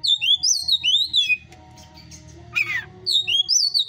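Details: Caged hot-type Oriental magpie-robin at a breeder's aviary sings a run of loud whistled upslurred notes, pauses, gives a harsh rasping burst, then resumes the bright repeated whistles.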